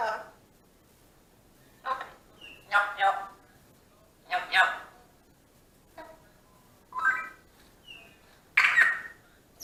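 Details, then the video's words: A 2-year-old female pet African grey parrot that loves chatting and burping to herself. She mutters in short, speech-like bursts of chatter and burp-like sounds, irregularly spaced every second or two, in a quiet room. "African Grey Parrot talking and burping"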